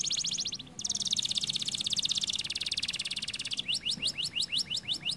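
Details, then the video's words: Caged canary singing a fast, high rolling trill of rapid repeated notes, shifting partway into a slower series of rising, upswept whistles about five per second, with faint low background hum. "The canary sings beautifully"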